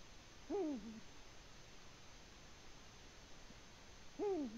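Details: Nesting Eurasian eagle-owl, Latvia, 14 February 2020, giving two deep hoots: each starts with a quick rise and falls away into a short low ending, nearly four seconds apart, with light hiss between.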